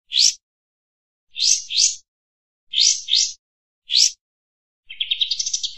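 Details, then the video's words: Kampas tembak bird in full voice, a master recording for teaching other birds and luring: sharp upswept chips, single or paired, spaced about a second apart, ending in a fast rising trill. "Suara masteran burung kampas tembak"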